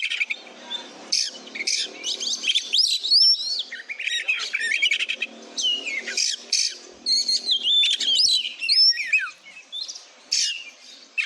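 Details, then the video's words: Oriental magpie-robin (kacer) singing 'gacor' as tutor material: a long, busy stream of shrill whistles, quick slides, and scratchy bursts over a low background murmur. "Masteran isian ful burung kacer gacor"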